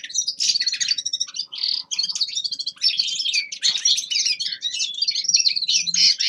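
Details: Young male common linnet singing in winter, a continuous rapid warble of twittering, buzzy and trilled notes, high and varied with short fluty phrases, barely pausing across the stretch.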